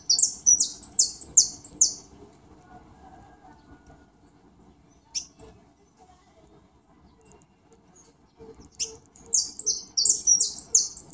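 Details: European goldfinch singing on a rainy day: two bursts of rapid, high, thin twittering notes, each slurred and repeated in quick runs, separated by several seconds of near silence with a few isolated high chips.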